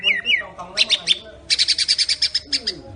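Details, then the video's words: White-rumped shama of the Medan type singing in imitation of the cililin style and a rattling besetan phrase: a few slurred whistles, then fast evenly repeated buzzy chattering notes about ten per second. "Murai medan Tembakan cililin dan besetan bikin ngilu"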